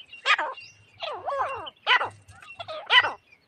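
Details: Calls of grey francolin, kept for use as a hunting lure: strident, down-curving harmonic notes delivered roughly once a second, some run together in short phrases, over a faint low hum.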